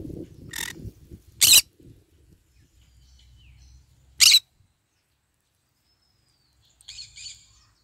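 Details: Green-cheeked conure eating and basking in the morning sun, giving three loud, harsh squawks, two close together then one after a pause, followed by a faint chattering note and low rustling.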